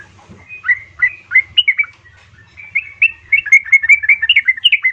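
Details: A female yellow-vented bulbul calls a male, played to coax caged birds into song: a few spaced slurred chirps, then a quickening burst of bubbly chatter over a faint hum.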